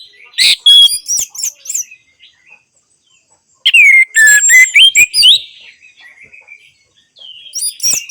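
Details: Orange-headed thrush song played as therapy for silent birds: quick sharp whistles, a pause, then a loud rush of slurred rising and falling whistles, and a fresh burst of sharp notes at the end.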